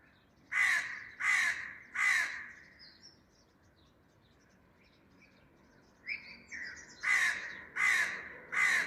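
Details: Crow in a garden calling loudly: three harsh, raspy caws about once a second, a pause with faint distant birds, then four more caws at the same steady pace.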